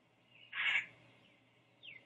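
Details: Great blue heron chick on the nest at Sapsucker Woods, Ithaca, NY, 15:42 on 21 May 2013, sleepy after feedings by both parents, gives one harsh, raspy third-second squawk, then a faint, thin, falling note; low hum.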